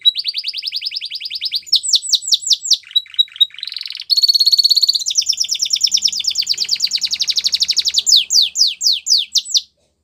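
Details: Belgian canary singing a varied, rapid song: rolling high trills and fast repeated notes that change pattern every second or two, with buzzy and whistled segments and a sweeping, chopped phrase near the end; no other sounds.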